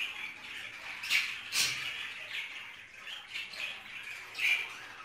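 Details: Budgerigars in a cage during mating; soft, high scratchy chattering with a few sharper squeaky notes standing out.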